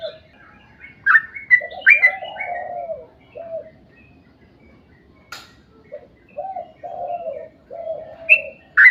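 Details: Yellow-vented bulbul in full long song, played as a lure so other bulbuls join in: scattered bright slurred whistles over a lower, mellow warbling phrase that repeats after a quiet gap.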